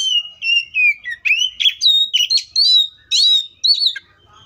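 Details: Wild Oriental magpie-robin pours out a continuous song of pure, level whistles that break into rapid twisting notes, rising and falling phrases following each other closely.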